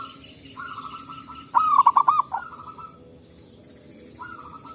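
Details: Forest-dwelling local zebra doves calling in turn, a lure recording: one clear phrase of five quick coos in the middle, framed by softer, longer trilled purrs from a more distant dove.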